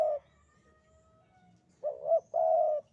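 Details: The tail of one coo, a quiet gap, then a complete 'sandungan kuk 2' phrase from a Javanese spotted dove: a warbling double note, then a prolonged, steady, mid-pitched coo. A faint low hum sits underneath.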